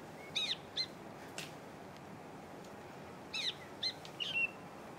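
Black bulbul giving two short bursts of harsh, nasal, squeaky notes about three seconds apart, with a faint click between them over quiet background hiss.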